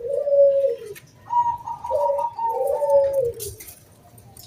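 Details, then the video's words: ['Zebra dove cooing, used to lure other doves into singing. Soft, drawn-out falling coos overlap a steady higher hum-like coo, with light background noise.'] "SUARA KRISTAL KUNG BULAT PANCINGAN SANGAT AMPUH BURUNG PERKUTUT GACOR MANGGUNG"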